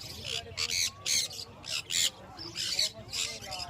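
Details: Sun conure kept as a pet, uttering short, rasping screech bursts about once a second, unevenly spaced, over a low background hum.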